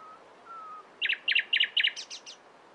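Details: Two faint, thin whistles, then clusters of sharp doubled chirps repeated about five times, closing with a few higher, fading notes, from a nightingale.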